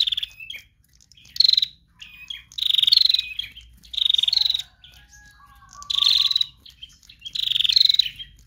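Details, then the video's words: Female bar-winged prinia song used to lure other birds: six high, fast trilled bursts over eight seconds, some stepping slightly higher near the end, with quiet chips and a brief lower whistle between them. "Prenjak Betina Lepas Trotol GACOR"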